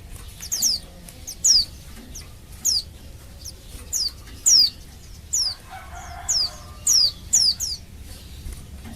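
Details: Female Oriental white-eye calling to males, a call used to stir males into singing: short high descending notes, each a thin downward sweep, given singly or in quick pairs roughly every second, over faint low background rumble.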